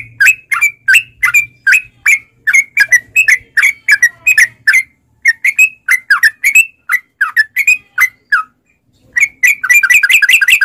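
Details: Sooty-headed bulbul in long 'ropel' song, a lure to make caged bulbuls sing: continuous bright chirped notes, three or four per second, with a short gap near the end before a quicker closing run.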